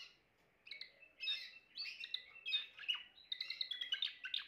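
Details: Timbrado canary song starting after a brief quiet moment, with separated chirped phrases turning into a faster warbling trill, over faint background noise.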